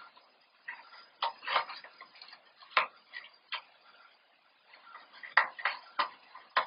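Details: Irregular ticking and tapping clicks fill a quiet indoor room, with no animal voice heard.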